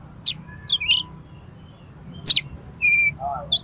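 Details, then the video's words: Oriental magpie-robin in an aggressive, highly aroused fighting state, meant to provoke other magpie-robins: a few scattered whistles, a loud harsh rasp and a steady pure note, followed by a low warble. "KACER TARUNG EMOSI TINGGI !!! PASTI LANGSUNG BUKA EKOR KACER MANAPAUN MENDENGAR INI"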